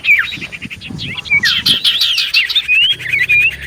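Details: Lure song of a common iora meant to make others answer: fast chirps and trilled buzzy notes running into a long wavering whistled phrase, with a soft low murmur in the background.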